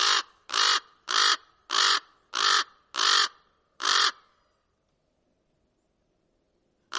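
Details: Common raven giving seven harsh, grating caws in a steady series, roughly one every two-thirds of a second, then a pause before one more call begins at the very end; quiet background otherwise.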